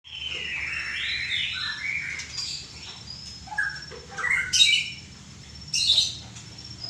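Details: White-rumped shama singing a varied phrase of rich whistles, slurred rising and falling notes mixed with sharper high chips and brief harsh bursts, with a low steady hum beneath.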